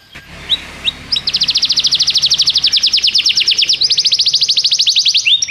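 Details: Canary tutor song for training a young canary: a few scattered chirps, then a long rapid trill of repeated notes that briefly shifts pattern, with faint low hum beneath.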